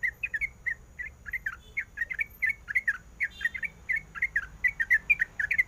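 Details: Sooty-headed bulbul female in breeding condition, calling a male: paired and tripled bubbly chirps in quick clusters, some notes sliding upward, over quiet background.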